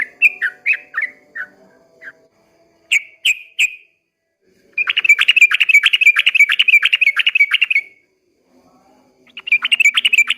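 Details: Trucukan, or yellow-vented bulbul, singing at dawn in ropel panjang fashion: a handful of slurred whistles followed by a long, rapid, chattering trill that breaks off, then resumes after a short silence.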